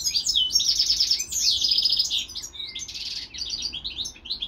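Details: European goldfinch, in a video of a pet goldfinch and a goldfinch × canary hybrid, gives a fast, tinkling twitter of high liquid notes and buzzy trills, running continuously with only short breaks.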